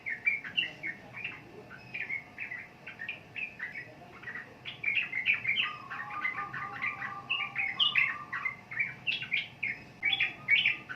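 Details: Sooty-headed bulbul with a long, busy run of bubbly whistled notes that grows fuller halfway through, when a lower, rapid trilling joins beneath the bright phrases.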